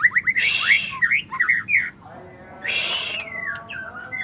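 White-rumped shama song: quick, rich whistled phrases with rising and falling slurs, broken by two harsh, raspy bursts.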